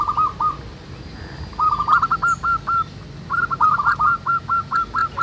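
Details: Wild local zebra doves singing together outdoors in the manggung style: rapid rolling trills of short clipped notes in repeated bursts, with a broad background hiss.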